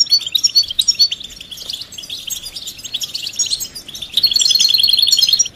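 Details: Stimulating European goldfinch song with mating calls meant to bring silent males out of silence; rapid high chirping twitters lead into a loud, sustained, buzzy trill near the end.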